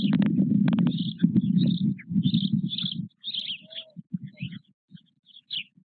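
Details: White stork nest at Nové Mlýny on 8 May 2024 with four almost equally grown chicks and their father; a dense run of low rasping pulses gives way to scattered short grunts, small birds chirping high overhead.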